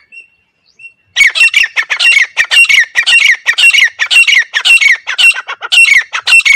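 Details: Grey francolin, recorded as a hunting lure: after a faint thin whistle, a loud, continuous run of harsh, rasping notes begins and carries on for over five seconds at about two per second.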